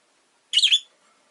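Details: A single brief, piercing chirp from a pet rosy-faced lovebird, one of two new birds in the household, in a quiet room.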